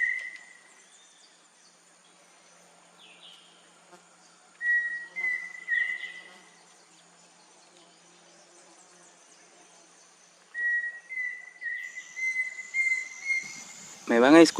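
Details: Pheasant Cuckoo, a lifer seen distantly in tall trees around an oxbow lake (cocha) in Amazonian forest of Loreto, Peru, heard mostly at dawn; singing clear mid-pitched whistles in short phrases ending in a rising series, over steady insect hum and a handling thump.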